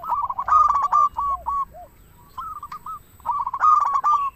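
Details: Lively local zebra dove singing to draw in and encourage doves: rapid chattering coos in two loud bursts, separated by softer dropping rolling notes and a short quiet phrase.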